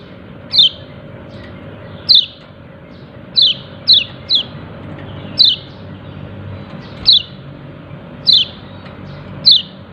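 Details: Repeated "ciak ciak" calling from a yellow-breasted white-eye: about ten bright, piercing down-slurred chips, some in quick pairs, others spaced a second or more apart, with low steady hum beneath.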